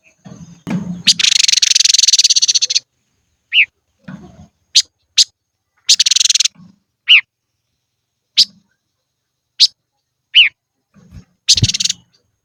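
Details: Silver-eared mesia decoy bird singing in the highlands: loud harsh buzzy bursts of chatter lasting up to two seconds, mixed with short sharp descending whistled notes spaced irregularly, low thumping noises between.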